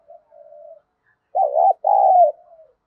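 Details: Captive decoy spotted dove cooing daily to provoke rival males: a faint short note and a soft drawn-out coo, a pause, then two loud throaty coos and a fading soft tail note.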